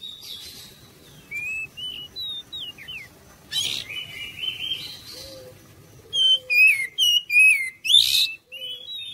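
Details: Oriental magpie-robin song to provoke answering song from other birds: quiet wavering whistles, a harsh rasp, then a lively run of clipped whistled notes and a buzzy burst.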